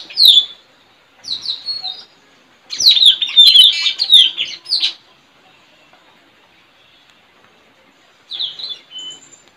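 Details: Trained caged Straw-headed bulbul used to call wild birds, contesting a neighbour's bird in a village on 4 April 2021; short high downswept notes, then a dense rippling warble, silence, and a final brief phrase.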